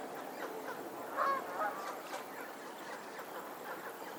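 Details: Geese on a Pennsylvania lake keep up rapid, soft, overlapping chatter, broken by one louder honk near the middle of the recording.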